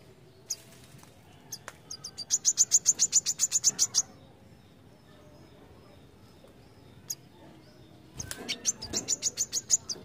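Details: Brown-throated sunbird delivering its striking besetan song: a few sharp high ticks, then a fast regular trill of piercing high notes for about two seconds, a pause with a lone tick, then another rapid high trill.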